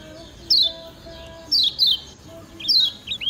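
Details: Kecial kuning (lemon-bellied white-eye), a Lombok bird, giving a 'ciak ciak' training recording for other birds: short, high, sharply descending chirps, single or in close pairs, spaced about a second apart over faint low background hum.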